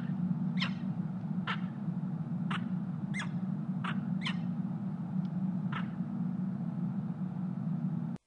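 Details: Mating peregrine falcon on an Ohio nest cam in Columbus, February 23, 2016, morning: about eight short, rasping calls spaced irregularly, with gaps of up to a second, over a loud steady low-pitched hum.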